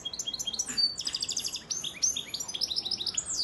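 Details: Male European goldfinch, a breeding bird from Antalya, Turkey, 2018, in full song: rapid liquid twittering of bright, high tinkling notes, densely repeated with short rising and falling slurs and a brief pause partway through, a lively continuous phrase.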